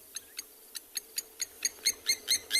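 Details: On a misty sunrise in Tswalu Kalahari Reserve, South Africa, on 26 May, Blacksmith Lapwings give incessant alarm calls off to the left: sharp metallic tink notes, four or five a second, growing louder. These nest-defending parents dive-bomb intruders.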